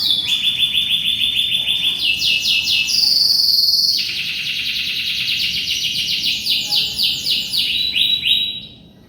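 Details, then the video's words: Gacor canary song meant as tutoring material for white-rumped shamas: fast rolling trills stepping between pitches, a bright sustained high note near the middle, then more rapid repeated rolls. "SUARA BURUNG KENARI GACOR YANG WAJIB UNTUK MASTERAN MURAI BATU"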